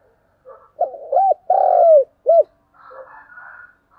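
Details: Spotted dove used as a lure bird, cooing to provoke and call in wild doves: a low hooting phrase of short coos and one long drawn, falling coo, then a clipped final note, followed by faint chattering from other birds.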